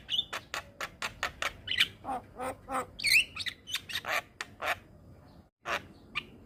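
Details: Javan myna tutoring song: rapid dry clicks and chips with occasional sliding whistles and rough notes, chattering on for several seconds before thinning out.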